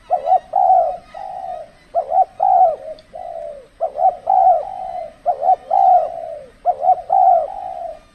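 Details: Spotted dove at a decoy trapping session in extreme cold-season weather, giving a series of mellow coos: a quick double note followed by a longer drawn-out coo, repeated about every one and a half seconds.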